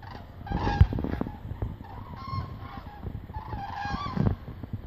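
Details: Common cranes passing overhead in hundreds while migrating south over Meerssen, Netherlands, 9 November 2014, early afternoon; a few bugling calls break through a strong low-pitched rumble and scattered clatter.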